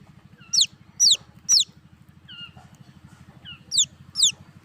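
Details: Several sharp, high, descending peeps from baby chicks come in quick bursts, with softer, lower chirps between the bursts, all over a persistent low pulsing hum.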